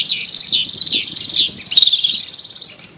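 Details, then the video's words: Long-tailed shrike master bird chirping in a dense, scratchy chatter of high warbled notes. A burst of rapid, buzzy trilling follows, then the phrase ends on a thin held whistle. "MASTER BIRD CHIRPING THE LONG TAILED SHRIKE FULL 30 MINUTES FIGHTER"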